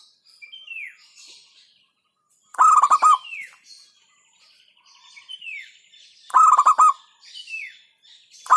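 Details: Local zebra dove giving two loud bursts of rapid clipped coos, with another bird's thin, descending whistles and faint chatter between phrases.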